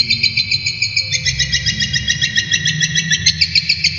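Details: Brown shrike, a kept songbird valued for mimicry, singing for tutoring other birds: brisk series of high, harsh chips about three and a half per second, stepping slightly in pitch midway, with a low background hum.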